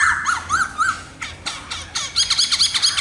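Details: Three clear looping whistles from a black-throated laughingthrush, a few sharp clicks, then a fast run of bright high chirping notes.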